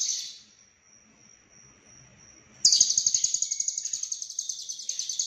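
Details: Cililin lovebird singing konslet with full isian: after a steady thin high tone, an abrupt, loud, rapidly pulsing buzzy trill runs unbroken for over two and a half seconds, about four pulses per second.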